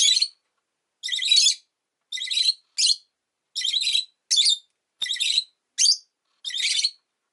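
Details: Repeated shrill chirping from a pet rosy-faced lovebird: about ten raspy high bursts in seven seconds, some longer and some clipped short, in an uneven rhythm.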